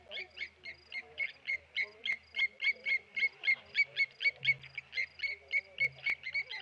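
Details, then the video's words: Blacksmith lapwings mobbing a tawny eagle at Okaukuejo wildlife waterhole in Namibia: evenly spaced, ringing metallic 'tink' notes, roughly three to four per second, steady and clear over a quiet low hum. "Tawny Eagle dive bombed by Blacksmith Lapwings."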